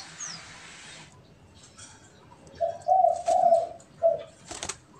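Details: Spotted dove, a pet and a wild bird calling back and forth; after a quiet start with a brief hiss, one phrase of soft, mellow coos: a short note, two longer hollow notes, then a final short coo and a click.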